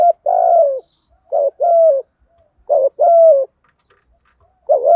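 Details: Low, throaty coos of a spotted dove in the "thổ Thúc Gù" voice, played to draw wild doves into answering; long rolling coos alternate with short clipped hoots in quick succession, no other sounds.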